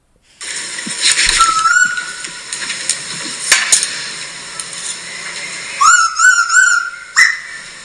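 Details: A male Pacific (Eastern) Koel, recorded in October in a home back garden in Australia's Southern Highlands, gives loud, rising whistled notes in a quick repeated series over steady background hiss and hum.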